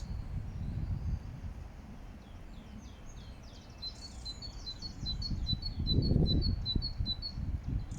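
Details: A great tit sings in Regent's Park, London: a fast series of thin, high, repeated notes in the second half, over a steady low rumble of traffic or wind.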